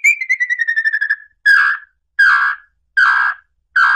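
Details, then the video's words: Red-legged tinamou song for attracting the bird: a fast falling trill of whistled pulses, followed by four fuller, longer whistled notes about three-quarters of a second apart, nothing else audible. "canto para atrair lambu pé vermelho"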